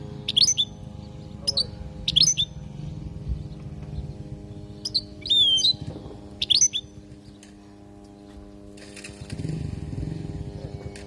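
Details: European goldfinch from Palestine giving a training song for young goldfinches: short, bright twittering phrases with slurred whistled sweeps every second or so, then a stretch of soft background noise and rustling.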